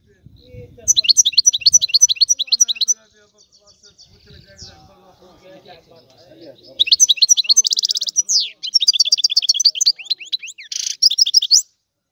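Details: European goldfinch from Sicily giving a rare old-style song in bursts: rapid repeated chirps, a pause with faint low murmuring, then dense high trills and twittering phrases.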